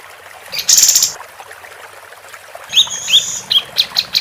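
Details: Female capped white-eye giving a harsh high buzz, then after a pause a series of short, sharp whistled chips repeated about every third of a second.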